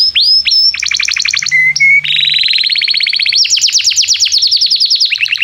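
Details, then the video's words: Energetic canary song used to prompt juvenile canaries to learn their song: varied phrases of high whistles, short slurred notes and dense rapid trills, shifting in pitch from tour to tour. "Kenari gAcorr cuit cuit emosi, Pancingan untuk kenari Paud belajar bunyi"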